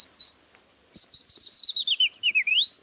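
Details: A Common Chaffinch in France sings its spring ritournelle, a bright, quick run of notes that falls steadily in pitch and ends in a brief rising flourish, after one thin opening note.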